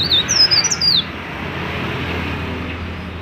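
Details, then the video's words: Mountain leaf warbler singing to provoke other leaf warblers to sing: a brief one-second phrase of high, sweeping whistles opens the recording, followed only by low background hum. "BURUNG CIKRAK DAUN GACOR COCOK UNTUK MEMANCING BURUNG CIKRAK BAHAN AGAR CEPAT BUNYI"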